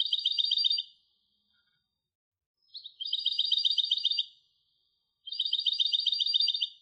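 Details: European goldfinch hybrid song in three separate phrases, each a rapid, even run of high, tinkling notes lasting about a second, with short quiet gaps between. Clean recording with no background sounds.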